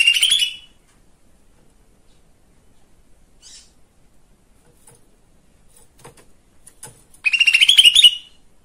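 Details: Lesser green leafbird, its song used as a provoking lure for other birds. A short trilled burst opens, then a long near-silent pause, before a second rapid, rising trill near the end.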